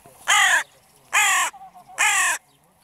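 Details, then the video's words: Evening crows giving three loud, harsh caws, each about a third of a second long and spaced roughly every 0.8 seconds, against a quiet background. "Krähenabend / Crow evening"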